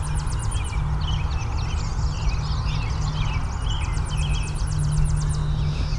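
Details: A Tennessee Warbler gives high, rapid staccato chip series in two bursts, over other bird chatter and heavy low wind rumble; recorded mid-July on a hike in a bird-rich area just west of Toronto, Ontario, Canada, with red-eyed vireos and scarlet tanagers nearby.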